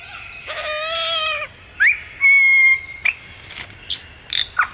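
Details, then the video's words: A single bird producing a long harmonic, slightly nasal note, then an upslurred whistle, a pure steady whistle lasting half a second, and several brief high chips and sharp notes. "sounds of a bird"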